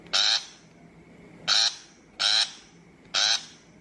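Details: Shrike call used as a lure for bird trapping: four loud, harsh, rasping bursts, each about a quarter second long, spaced irregularly roughly one second apart, with a faint steady hum behind them.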